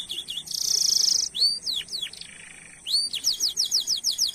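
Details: Lively canary song used as a lure for other canaries: a harsh buzzy burst, then swooping whistled notes, a low rasping pause, and a fast run of repeated bright falling chirps.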